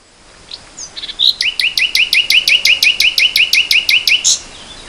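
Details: Nightingale in spring 2014 delivering a loud, rapid roll of about fifteen identical sharp notes, evenly repeated several times a second, introduced by a few thin whistles.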